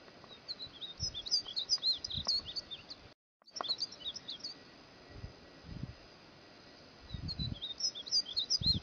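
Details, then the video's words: Cut-throat finch song used as a training recording for songbirds: bursts of thin, high, squeaky chirps run in quick rapid series, with a brief silent gap mid-way and soft background noise. "Kicau Tigrillo degollado"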